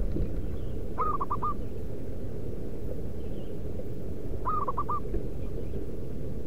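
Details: Local zebra dove from the wild, its song used as a lure for wild perkutut: two short bursts of four rapid staccato coos, three and a half seconds apart, over a steady low-pitched rumble.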